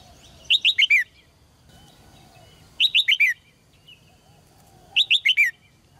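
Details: Red-whiskered bulbul in a cage, song meant to prompt males to sing hard: three phrases of four rapid, loud, down-slurred whistles, spaced roughly every two seconds, with low background hum between.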